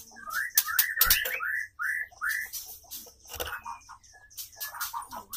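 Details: White-rumped shama pair during mating, a male courting a female; slurred whistled notes sliding up and down, given in quick uneven bursts, with sharp clicks and rustling between phrases.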